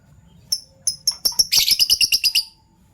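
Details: Fischer's lovebirds, violet and gold opaline, in the morning: a few thin separate chirps that speed up into a fast, rhythmic chatter of about ten harsh high notes in a second.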